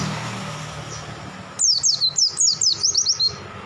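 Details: Pleci bursting into song: after background hum, about a dozen high, descending whistled notes follow one another rapidly and evenly.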